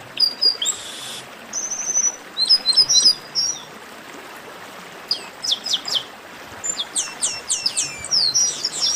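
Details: Chestnut-capped blackbird giving high sharp chirps, a brief buzz, a short rapid trill, and later dense runs of sweeping whistled notes, over a soft steady hiss.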